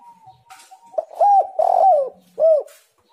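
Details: Mellow spotted dove coos used to lure doves into song: a faint steady tone, then a rounded coo, a longer quavering coo and a clear arched closing coo.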